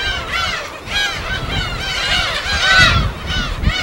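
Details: Gulls at their natural colony on an uninhabited island in Korea's Yellow Sea, recorded on site; many overlapping ringing, arched cries rising and falling, with soft surf below.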